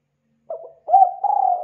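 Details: Spotted dove cooing for bird luring: a faint short coo, a pause, then a loud rounded coo running straight into a long, steady, slightly pulsing note.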